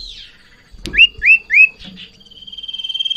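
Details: Sirtu in breeding condition, provoked by a rival or female: three loud upward-sweeping whistles about a quarter second apart, then a swelling rapid trill held at one pitch.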